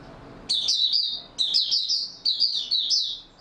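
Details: Oriental white-eye singing in stable form on 28 February 2022: three dense bursts of high, sweet, down-slurred chirps, each lasting nearly a second, with little gap between them.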